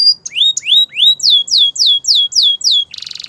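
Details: Belgian canary song in the morning: rising slurred whistles followed by a steady row of loud notes sweeping downward, about three per second, ending in a fast rattling trill.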